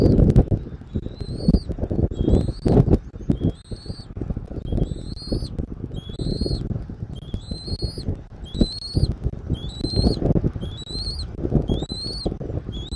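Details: At a Southwest Florida nest on 13 January 2024, early afternoon, a bald eagle gives a long series of thin, upward-sliding whistles, roughly one per second, above heavy low-pitched rumble and thumps from the nest camera.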